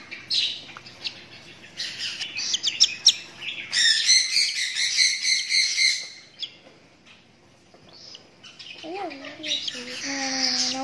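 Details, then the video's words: A lutino cockatiel gives quick, shrill chirps, then a burst of harsh, grating screeches; a lower, wavering voice joins near the end. "Lutino Cockatiel"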